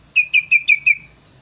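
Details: Kaso-kaso bird in lively song, valued for a unique, varied voice: five sharp, slightly falling whistled notes, evenly spaced about every fifth of a second, against a steady high electrical hum.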